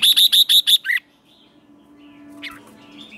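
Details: Wild-caught red-whiskered bulbul in competitive singing, played to stimulate fighting song: five evenly spaced bright notes in under a second, then a lower slurred note, followed by faint distant chirps.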